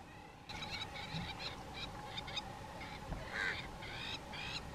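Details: A nesting pair of Crowned Lapwings chasing and attacking a Pied Crow near their nest. They give harsh, strident calls in quick bursts, several notes in a row with short gaps, over a steady low hum.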